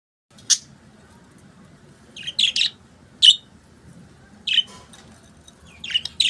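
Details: Budgerigars chirping: short bright chirps and warbled notes in separate bursts, spaced a second or so apart, over a quiet background.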